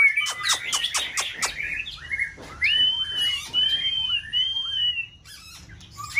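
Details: White-rumped shama, caged and in peak season, performing in a multi-bird singing test: quick chattering notes first, then long level whistles that dip downward at the ends, with low hum behind.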